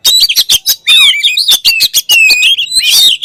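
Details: Kacer, the oriental magpie-robin, in a loud run of sharp clicks and rasping notes broken by sweet whistled slurs that dip and rise, delivered in quick succession.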